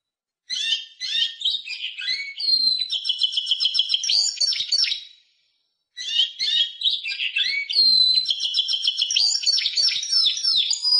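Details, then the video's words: Varied song of a Timbrado canary: two bursts of mixed chirps, whistled slides and rapid pulsed rolls, separated by a short silence. "CD Canario Timbrado"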